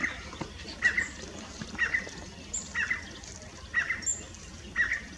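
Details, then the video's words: Yellow Common iora in bushes in Tamil Nadu, India: brief paired chip notes repeated about once a second in a loose series, with faint higher calls from other birds in the background. "The Common Iora (Aegithina tiphia) - सुभग - അയോറ - மஞ்சள் சிட்டு"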